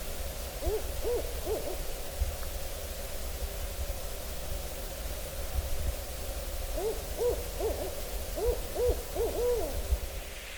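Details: An owl in autumn hardwood woods near a campsite, recorded around September 30 to October 1, 2024, gives bursts of quick, wavering hoots rising and falling, in two clusters separated by a pause, over a low rumble of wind or distant traffic.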